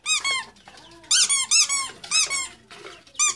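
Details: Duckling chirps indoors: shrill, bent peeps in quick pairs and triplets, some sharper and higher, separated by brief soft lulls with faint background noise.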